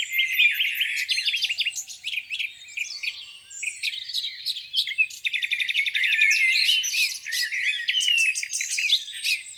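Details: Full dawn-season chorus at a lake in spring: many birds overlapping with rapid chirps, buzzy trills and whistled phrases, nearly continuous and loud across the recording.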